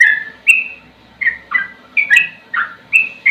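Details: Sooty-headed bulbul (trucukan) singing slowly: clear whistled notes with pauses between them, some held level and some sweeping downward, in short groups of one or two.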